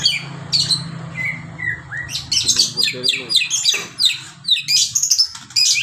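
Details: White-rumped shama, a kept songbird, singing with a learned fill of kinoi, lovebird and canary phrases: rapid bursts of high, sharp chirps and trills, rising whistles and buzzy notes in dense runs with short pauses, over a faint low hum.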